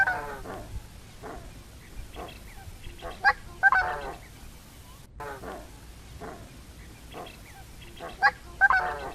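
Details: Coscoroba swan calling: a series of nasal, harmonic honks repeated irregularly, several in quick clusters, over a constant low background rumble.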